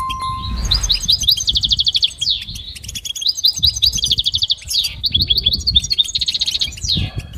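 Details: Goldfinch song for training: a brief steady tone at the start, then lively rapid trills, twitters and sliding notes repeated in quick phrases.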